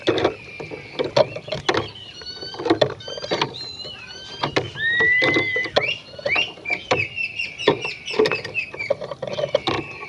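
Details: Oriental magpie-robin in full, vigorous song, played to make other magpie-robins agitated: clear whistled phrases with rising and falling slides and one long sustained whistle midway, over repeated loud clicking and tapping noises.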